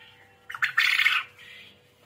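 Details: Actively calling quail (burung puyuh, manuk gemek): a stuttered start breaking into a harsh, buzzy, grating burst lasting about three-quarters of a second, then a softer fading rasp; faint steady tone behind.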